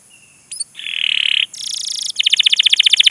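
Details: Canary song with sharp "cuit cuit" chirps and long rolls, used to stimulate young canaries learning to sing. A high thin note, a sustained buzzy tone, then a rapid, evenly pulsed high trill of about twenty notes.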